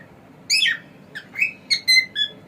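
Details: Male pet cockatiel giving a loud harsh chirp followed by a string of short whistled notes, some clear and level, some rising, packed into two seconds.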